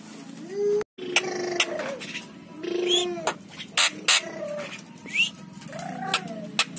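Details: Javan myna said to have lost its natural sound gives a varied mix of short whistles, upward and downward slurs and sharp clicks, with scattered notes throughout.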